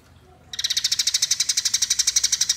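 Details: Eurasian tree sparrow fighting call, a lure sound: after a brief quiet start, one unbroken two-second run of harsh, evenly spaced chirps at about ten per second.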